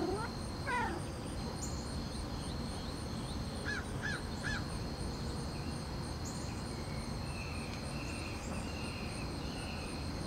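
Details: A perched Red-shouldered Hawk (Buteo lineatus) gives territorial calls toward rival hawks: harsh, down-slurred screams in short bursts, with a steady high insect drone and low rumbling background noise.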